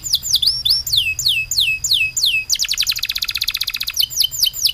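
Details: Loudly singing canary with long-breath, rapid-fire song: a series of clear descending whistled slurs, then quick buzzy high trills repeated several times a second.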